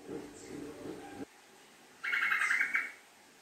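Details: Sooty-headed bulbul lure recording in a long rapid 'ngekek' chattering style. A low rumbling murmur comes first, then a gap, then one bubbly chattering burst of quick repeated notes that lasts under a second.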